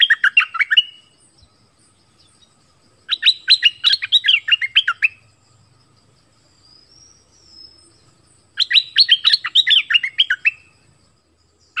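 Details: Orange-headed thrush singing a recording meant for luring wild birds and teaching young birds; three fast phrases of jumbled, warbling notes, each lasting about two seconds, separated by quiet pauses with a faint thin whistle between.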